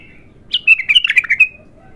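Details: Raw, untrained bulbul in its first song: after a faint whistle, a lively phrase of about seven bright, bubbling whistled notes delivered rapidly, ending in a drawn-out note.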